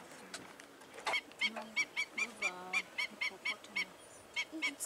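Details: Black crake feeding in Nairobi National Park, giving a rapid run of nasal, honking notes, about four a second, steady in pitch, with faint human voices underneath.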